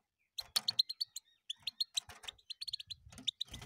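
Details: Fast, jingling European goldfinch song made of tightly spaced bright chirps and tinkling notes, one after another, with faint low noise underneath.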